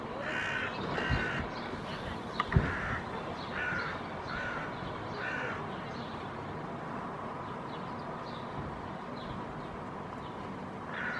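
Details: A Hooded crow pair reacting to a big dog, flying close while protecting fledglings that cannot yet fly: harsh, hoarse caws, about eight over eleven seconds in short irregular runs, against steady rushing noise with a couple of dull thumps.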